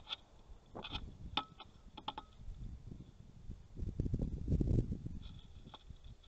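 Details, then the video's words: Female grey-headed woodpecker attacking an online osprey-nest camera in the Napiwodzko-Ramucka Forest on 3 August 2020. Sharp dry knocks land near one, one and a half and two seconds, followed by a denser run of rumbling taps and scrapes against the camera. "Atak dzięcioła na kamerkę"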